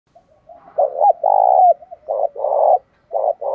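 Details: Spotted dove in the "giọng đồng pha thúc bổi" voice style, used as a lure bird: soft introductory notes, then a series of low, throaty coos, some drawn out and some short, with brief pauses between them.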